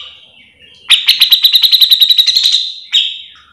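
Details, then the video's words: Grey-cheeked bulbul in full gacor mbeset song for training other birds of its kind: a faint start, then a sudden two-second run of fast rasping notes that slowly loosens, ending with one separate harsh note. "Cucak jenggot gacor full mbeset"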